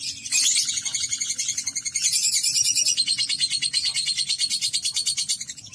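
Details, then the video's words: Long ngekek chattering from a kept lovebird, with busy, high, grating notes rattled off quickly and steadily, rising slightly in strength after the first second. "Terapi Burung Lovebird Agar Ngekek Panjang"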